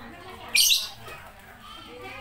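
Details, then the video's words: A single harsh, high lovebird squawk, brief and loud, over quiet background talk. "love bird"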